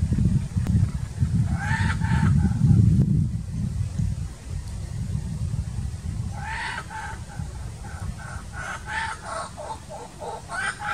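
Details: Young laughing kookaburra in the bush practising its call near an adult, learning the call. Rough, croaky, rusty-saw-like bursts of harmonic notes, stuttering and uneven, over a steady low rumbling background noise.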